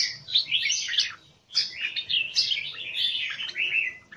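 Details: Captive red-whiskered bulbul in a square cage, Singapore-kept, giving a rich warbled phrase, a brief pause, then a longer flowing string of bubbling, slurred notes.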